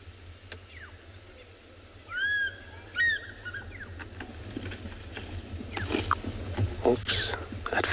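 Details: In South Africa's Ngala or Phinda game reserve on an afternoon safari on 20 June 2021, an African fish eagle gives two loud, ringing yelps with arched, falling notes. Snaps of branches, rustles, a low engine hum and faint speech are also heard.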